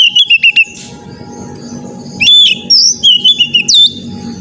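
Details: Oriental magpie-robin song used to train an untrained young bird: four quick clipped whistles open, then varied sliding whistled notes, including a sharp upward sweep near the end, over a constant low hum and a faint steady tone.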